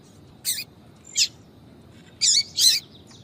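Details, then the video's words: Female yellow-bellied seedeater calling to draw males, a tui-tui call: four high, scratchy chirps, two spaced apart and then a quick pair near the end. "Piado de fêmea de papa capim para Foguear Papa capim tui tui Melhor Piado de fêmea de papa capim"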